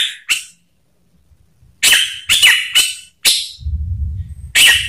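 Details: Orange-headed thrush singing as a lure to trigger other birds, short loud harsh notes and brief bursts separated by gaps, with a low rumbling noise in the background near the end.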